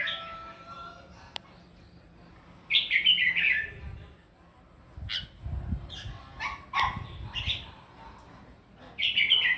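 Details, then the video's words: Red-whiskered bulbul giving a morning fighting song to train its voice: scattered short, sharp whistled bursts and chirps with gaps between them, a click, and some low noise, ending in a loud warbled phrase. "kích chào mào mũ hót đấu buổi sáng luyện giọng kích chim hót căng lửa"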